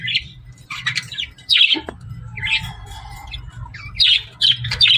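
Budgerigar chirping in bursts of scratchy, warbled chatter and squawky notes.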